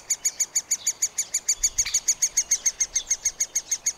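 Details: Nestling middle spotted woodpeckers at their nest hole while a parent feeds them, filmed on a Panasonic FZ 2000: rapid, evenly spaced high chirps repeating roughly three times a second, with a brief louder burst near two seconds.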